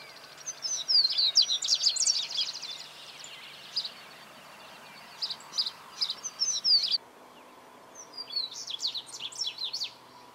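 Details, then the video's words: Double-collared seedeater (Sporophila caerulescens), 2018 recording: high, scratchy twittered phrases with fast chip runs, given in several bursts with short silent gaps between them. "Cantos Corbatita común Sporophila caerulescens"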